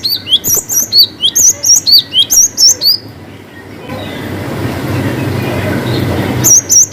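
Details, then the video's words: Cinereous tit singing energetically in its long 'wucit panjang' style: a brisk run of high, piercing whistled notes repeated several times a second for three seconds, then a pause of hissing background noise before a brief restart. "GELATIK BATU GACOR WUCIT PANJANG ngalas Variasi"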